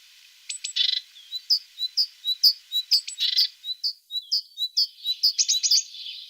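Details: Tit singing: quick run of high, sharp chirped notes about twice a second, broken by two dense buzzy chattering bursts, with a rapid trill near the end.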